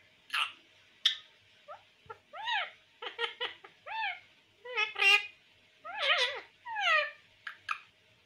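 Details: Talking pet parrot, said to mimic everything, in a small room. A rapid string of varied chattering syllables runs for about eight seconds: some are rising and falling, some are harsh, and short pauses fall between the bursts.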